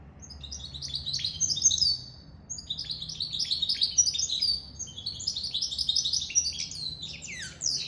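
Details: Hybrid goldfinch-canary mule in sustained song: three long runs of rapid high chirps and trills, each a couple of seconds, ending in a downward-sliding note.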